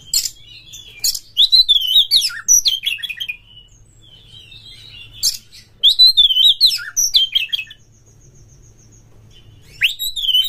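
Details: Oriental magpie-robin with tail fanned, delivering rough, harsh song material as a lure for other birds: long bouts of loud twisting whistles and scratchy bursts, separated by pauses of a second or two.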